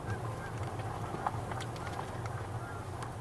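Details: Several Canada geese, at least two, recorded 6 November 2021, give faint, nasal honks, a pattern that suggests they are taking off, against a steady low rumble of wind and background noise.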